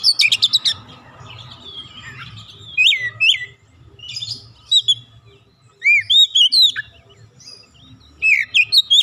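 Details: Oriental magpie-robin, a newly kept untrained bird, singing readily: varied rich whistles, upslurred and looping notes, interspersed with rapid clicking bursts and pauses.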